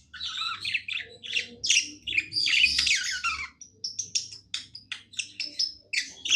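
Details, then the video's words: Happy pet budgie singing: a dense buzzy warble first, then a run of sharp, evenly spaced clicks and chirps about two or three per second, over a faint hum. "Happy budgie singing"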